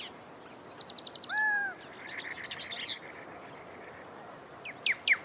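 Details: Pyrrhuloxia song: a fast, even, high trill runs into a single long sliding whistle, then a scratchy run of buzzy notes; after a pause, several sharp high downslurred chips close the phrase.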